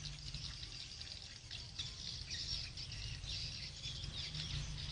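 Dense, high chattering twitters of swiftlets run continuously over a steady low electrical hum.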